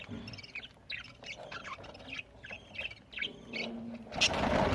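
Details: Feeding budgerigars in Larkana, Sindh, recorded November 1, 2023, giving quick repeated chirps and chattering notes several per second, ending in a burst of loud rustling noise.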